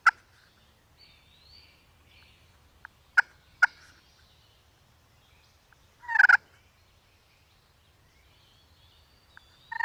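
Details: An angry wild turkey hen attacking a turkey decoy gives one harsh, raspy burst midway, set among a few sharp knocks and long quiet stretches.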